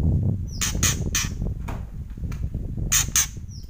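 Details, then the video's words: White-rumped shama in kretekan, loud harsh rasping bursts in pairs over strong low rumbling background noise. "Kretekan Murai Keras"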